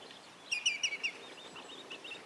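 A Common Greenshank gives a quick run of four ringing, slightly falling 'tew' notes, followed by fainter similar notes against a soft outdoor background hiss.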